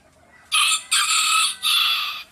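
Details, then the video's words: A rooster crowing in the morning gives a loud, harsh crow in three quick bursts, the middle and last notes drawn out and strained, with no other sounds standing out. "Rooster crowing compilation - Rooster crowing sound effect"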